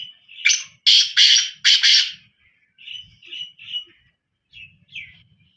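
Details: A black francolin gives a grating call of four rasping notes, ringing and loud, then several softer clipped notes trailing off against a quiet low hum.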